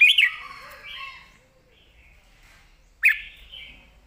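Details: Caged red-whiskered bulbul giving a clear southern-style master song used to teach other caged birds: two bright, warbled, fast-modulated phrases, the second after a quiet gap of about one and a half seconds, over a quiet background.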